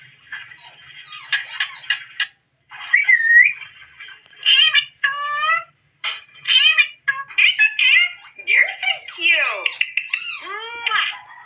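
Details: Pet Indian Ringneck parrot dancing and chattering indoors: a long, varied stream of talking-like syllables, whistled sweeps, rising and falling arcs and clipped notes, with brief pauses between phrases.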